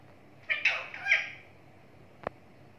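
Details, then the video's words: Talking pet parrot making a short burst of harsh, speech-like syllables lasting under a second, followed by silence and a single sharp click. "Talking parrot"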